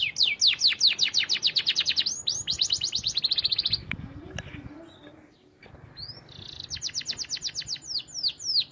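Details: Canary singing as a teaching song for other canaries: a long rapid high trill of repeated notes, a quiet pause with soft low sounds, then the trill resumes.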